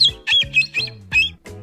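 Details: Shiloh, a 23-year-old pet cockatoo who often sings off-key: four quick, high, wavering squeaky bursts in under two seconds, over a low steady hum that may be music.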